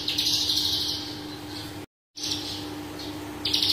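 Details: Parva Horsfield's bush lark singing rapid buzzy chirp runs, broken by a brief gap of silence, then softer notes and a final fast burst, a low hum beneath.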